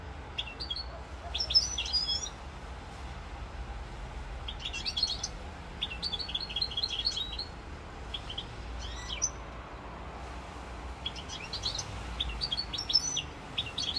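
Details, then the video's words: European goldfinch singing in Corsica on 7 November 2022, with scattered groups of high, tinkling chirps and short rapid trills, each lasting about a second, separated by longer quiet gaps with low background noise. "chant chardonneret"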